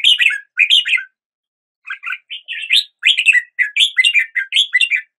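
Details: Song of a red-whiskered bulbul, quick bubbly chirping phrases of several notes each, a short pause, then a longer run of cheerful warbled notes; no other noise.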